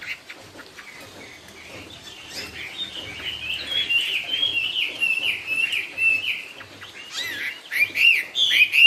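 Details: Chinese hwamei ('họa mi cao cầu') sings a quieter, flowing run of warbled whistles that builds in volume, with wavering notes sliding up and down before louder bright phrases near the end.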